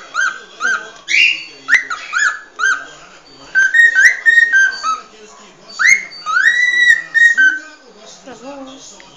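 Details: Cockatiel singing the species' original song: clear whistled notes near mid pitch, many sliding upward, given in quick phrases separated by short pauses, with faint harmonics above.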